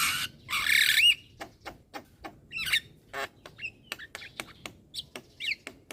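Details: Young Javan myna chattering nonstop with nodding head; a long harsh hiss opens, followed by dry clicks and brief twisted squeaky notes in an uneven stream.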